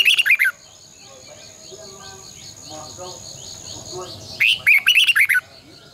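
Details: Red-whiskered bulbul, a caged decoy bird in a morning singing session meant to train and stir other bulbuls, in the long double twisting voice style. Two bursts of bright, quick, warbled chirping phrases open and close the clip. Between them are a quiet gap and a faint steady high tone.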